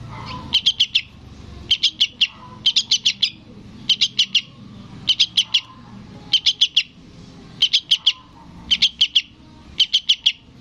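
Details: Sooty-headed bulbul chick calling its parent, giving steady bursts of four to five shrill chirps roughly every second, nine bursts in succession over faint background rumble.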